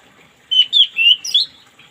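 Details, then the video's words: Orange-headed thrush singing in the morning, kept as a therapy bird to get a stalled singer going: a rich whistled phrase of four slurred notes around mid pitch, each rising then falling, in under a second. "terapi burung anis merah macet di pagi hari biar cepat ngplong"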